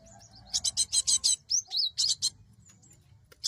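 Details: Cinereous tit calls for luring wild birds: a thin whistled note, then a quick run of rasping buzzy notes mixed with short, sharply falling whistles.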